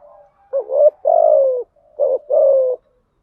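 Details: Lure spotted dove, female, calling to attract wild doves: two close cooing phrases of a short warbled double note and a longer descending coo, preceded by a soft low murmur in a quiet setting.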